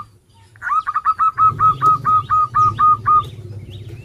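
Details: Song of an actively singing local zebra dove, kept as a lure to get reluctant birds singing: a steady run of about eleven soft, evenly spaced hooked cooing notes at one pitch, then quiet.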